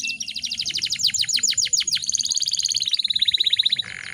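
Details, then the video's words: Female canary in breeding condition, singing to provoke other canaries into singing: rapid series of descending sweeps speeding into a fast, even trill, closing with a short buzzy note. "PANCINGAN KENARI BAHAN AGAR CEPAT GACORR"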